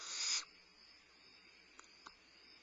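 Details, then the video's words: Barn owl owlet at Starr Ranch, limping and using its wings for balance while having a midnight meal, recorded 2011-05-22: a harsh, breathy hissing screech lasting about half a second, followed by near silence with two faint clicks. "Starr Ranch Barn Owls: Limping owlet has a midnight meal"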